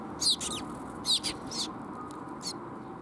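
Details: Young sparrow recorded on 5 June 2021 at a waterside bridge, Japan: sharp, high chirps in quick pairs and short bursts, a few loud notes separated by brief pauses, over faint background hum.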